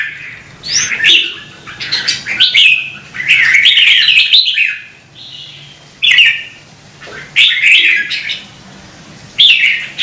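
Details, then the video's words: Red-whiskered bulbul of Vietnam singing loud, rich warbles, a long run of rolling, jumbled notes early on, then shorter bright phrases spaced a second or two apart. "CHÀO MÀO | Kích chim nhạy hót - Thúc chim hót hay căng lửa"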